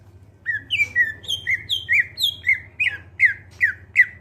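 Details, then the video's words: Greater green leafbird singing clearly, song used to lure other birds into singing: a steady run of clear whistled notes, each sliding down and repeated about every half second, with a low hum beneath. "Cucak ijo suara jernih, pancingan biar cepat gacor"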